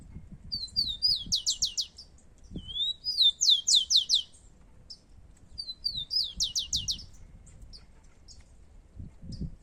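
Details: Rufous-collared sparrows, two birds competing, singing in the wild in Brazil: three high song phrases, each a slurred whistle and then a quick series of descending trilled notes, with low background rumble.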